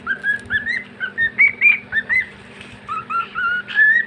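A male cockatiel gives a run of clear, rising whistled notes, some slurred upward and repeated.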